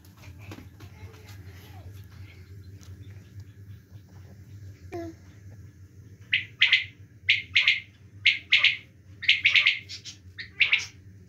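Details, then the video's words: Quail calling in the winter season: after several seconds of low hum, a run of short, bright, chirpy double and triple bursts begins and repeats roughly every half second to a second. "quail calling in winter season"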